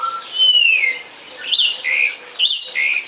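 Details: Song thrush delivering loud, clear whistled phrases, a descending slur followed by a short phrase sung twice, with a faint low tone behind.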